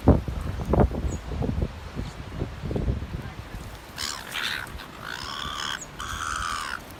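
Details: Seagull at North Shore bullying the other gulls at feeding: low thumps and rumbling first, then a few loud, harsh, drawn-out squawks toward the end.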